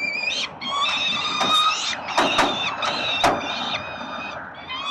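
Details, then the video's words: Peregrine falcon chicks at the 367 Collins nest in Melbourne, Australia, begging while their father feeds them, 30 October 2021: harsh, drawn-out screeching wails with bright overtones, overlapping in bursts, broken by sharp clicks and scuffing. "Sokoły wędrowne - Tata karmi swoje głodomorki"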